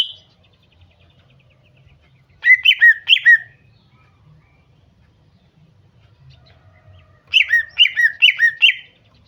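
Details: Two bursts of a female greater green leafbird's lure call, meant to provoke a male to sing. Each burst holds three or four rapid notes that drop from high to lower pitch, with a long silent gap between them.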